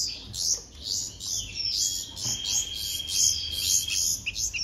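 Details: Young bulbuls calling while hand-fed: shrill, scratchy begging notes in quick pulses, joined by a steady thin whistled tone in the middle.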